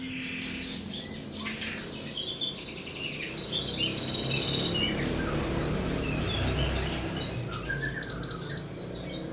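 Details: Assorted songbird tutor songs (masteran) for training cage birds: dense, rapid high chirps, trills and short whistled phrases in quick succession, with a steady low rumble of background noise throughout.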